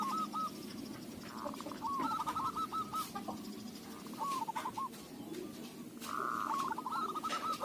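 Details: Local zebra dove with a lure-suited voice. Short trilled coo phrases repeat at intervals over heavy background noise, and a brighter, sustained phrase comes near the end.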